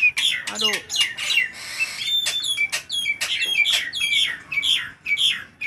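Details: Loud, energetic Nias hill myna in hot weather, used as a lure to get other birds singing, gives a steady stream of sharp whistled notes and metallic chips, many dropping in pitch, with a few rasping bursts.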